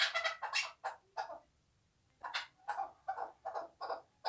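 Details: A hand-raised chukar partridge, two years old, kept for hunting in Tojikobod district, Tajikistan, gives rough chucking notes in two bursts separated by a pause of nearly a second, over faint low background hum.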